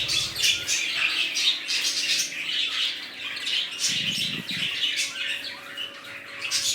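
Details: Colony of budgerigars, newly formed and including red-eyed birds, produces rapid continuous twittering and harsh squawks, with a brief low rumble midway and a steady electrical hum.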